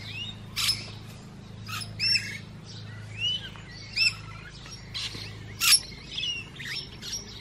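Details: Musk lorikeets feeding, giving short, harsh, broadband screeches at irregular intervals, with some softer chattering and squeaky notes between them and a low steady hum beneath.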